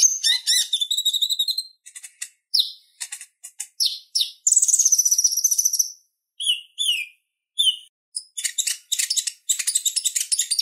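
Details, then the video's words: Purple-throated sunbird in continuous chattering song, used as a master recording for other birds: dense fast twitters, buzzy rattles, and a few longer high whistled notes, with the tempo constantly shifting. "Suara Ocehan Konin Gacor Tajam Ampuh Buat Masteran Kolibri Ninja"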